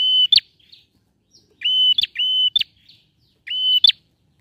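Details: Repeated song of a male bar-winged prinia, used to provoke a quiet prinia into singing: a sustained whistle rising sharply at its end, given singly or in pairs, four phrases against near silence.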